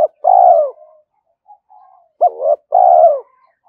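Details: Spotted dove giving loud repeated coos used to lure wild doves: a short rising note followed by a longer, steady, slightly falling coo, phrase repeated after a pause, with faint softer coos between.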